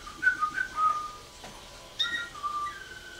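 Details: Caged Waterslager canary at the 2011 WWC singing contest, scored 114 points with Klok and Bol tours: short clear whistled notes in quick pairs, a pause, then falling whistled notes.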